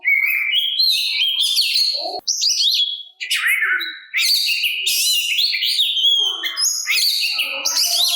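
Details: Oriental magpie-robin singing to provoke rival magpie-robins to reply: continuous high, varied warble of whistled slurs, buzzy notes and chattering phrases, with two short pauses.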